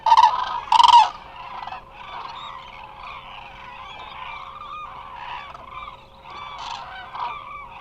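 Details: Lots of Eurasian cranes resting at Israel's Hula Nature Reserve, from a live bird camera; two loud, rolling trumpet calls open, then a softer, continuous murmur of overlapping calls from the distant flock.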